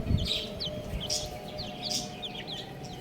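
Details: Young chicks give clear, high, falling peeps in quick succession, with soft background hum and a few broad hissy bursts.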